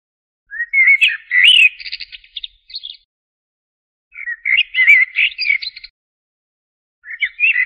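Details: Common blackbird giving three song phrases spaced by silences, each starting with low fluted whistles and breaking into a scratchy, high twittering flourish at the end.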